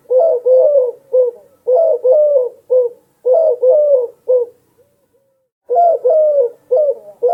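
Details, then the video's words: A dove gives low, hollow cooing notes in quick grouped bursts, with a brief pause before the cooing resumes. "Dove Sound Effect"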